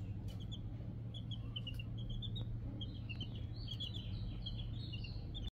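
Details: Four young domestic chicks calling with soft, high, short peeps in quick runs, growing busier and more overlapping toward the end, beneath a constant low droning hum.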